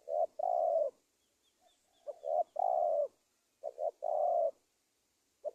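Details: Spotted dove call used as a lure for trapping wild doves: low, mellow cooing phrases, each one or two short clipped notes followed by a longer steady coo, repeated about every two seconds, over faint high background hiss.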